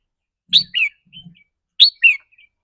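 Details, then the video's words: A caged red-whiskered bulbul gives its rik rua song style, which varies with the bird's mood. Twice within a few seconds comes a loud two-part phrase, a harsh burst then a downslurred whistle, over faint low sounds. "ริ๊กรัวๆ คือเรื่องปกติ"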